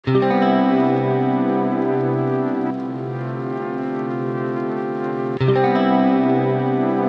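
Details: Brass-like instrumental music with steady low horn tones and a brief break near the end; no animal sound present.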